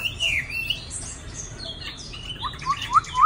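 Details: Varied whistled song from a caged male Chinese hwamei near two seasons old: a swooping phrase, a quieter stretch of high notes, then quick rising whistles at the end.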